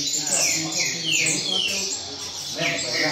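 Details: Double-collared seedeater singing the rain-song style in a competition circle: clear descending whistled slurs repeated in quick succession, with a low background hum and murmur beneath.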